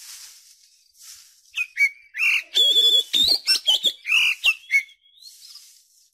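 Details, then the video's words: Oriental magpie-robin lure song for getting young birds to open their beaks and sing: after a quiet start, a run of clear whistles, warbled notes and sharp chips, ending in faint high twittering. "Pancingan Kacer Cepat Buka Paruh, Terbukti Manjur Untuk Masteri Kacer Muda"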